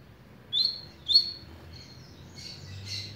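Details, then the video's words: Double-collared seedeater of the patrão type, a velocista, starting to sing softly: two short high slurred notes half a second apart, followed by fainter, blurred twittering against low background noise. "Coleiro Patrao começando a cantar"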